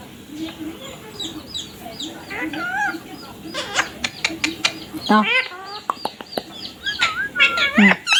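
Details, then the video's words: Ringneck parrot chattering in quick harsh bursts, gaining intensity in the second half, with rapid clicks and warbled, rising squawks over a low rumble. "Ringneck parrot #tallking mummy papa"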